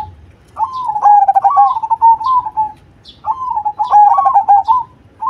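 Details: Zebra dove of the cemani type sings two long coo phrases, each a quick rattle of clipped notes running into a sustained, slightly wavering coo. Faint high chirps sound between them.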